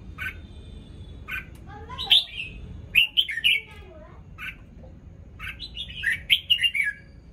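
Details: Morning song of a freshly moulting red-whiskered bulbul: scattered short chirps between two lively phrases of looping, slurred whistled notes, with a faint low rumble underneath.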